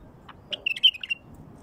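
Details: A wild bulbul's song, played to get wild bulbuls singing: one brief, fluty phrase of several quick whistled notes that ends in a short trill, over a quiet background.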